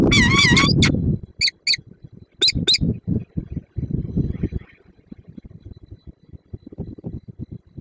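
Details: Peregrine falcon at its nest in Słupsk on 5 April 2022, after preparing and leaving a prey gift, then meeting its mate. A wavering, harmonic wail of about one second, followed by short sharp call bursts over scraping and thumping noises.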